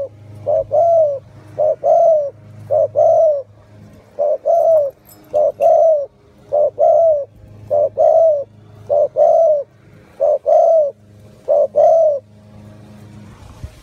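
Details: A pet spotted dove gives soft, hollow paired coos, one pair roughly every second, a dozen times in a row over a faint low hum.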